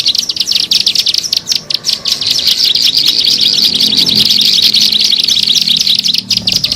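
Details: Bar-winged prinia calling for use as a lure to attract birds: rapid, thin, high chirps tumbling together in a fast, uneven series, with a faint low hum underneath.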